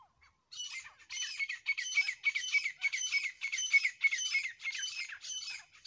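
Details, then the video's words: Calls from a grey francolin pair: after a brief pause, a steady series of loud, grating, high-pitched notes repeated about three times per second, clean and dominant without other sounds. "Grey Partridge Sounds . Francolin Voice . Dasi teetar Awaz . boli . جوڑے کی آواز"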